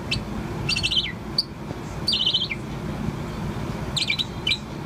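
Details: Young pet Bourke's parrot, about four months old, chirping continuously: three clusters of rapid, high, twittering notes that drop at the end, over a steady low indoor hum.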